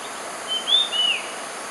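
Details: Red-eyed bulbul calling: two brief, clear whistled notes, the first rising slightly and the second slurring downward, over a steady hiss of background noise.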